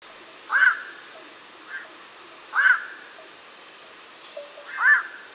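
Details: Black-crowned night heron, a wetland bird seen in migration seasons, giving hoarse, croaking single calls, about one every two seconds, with softer notes between them.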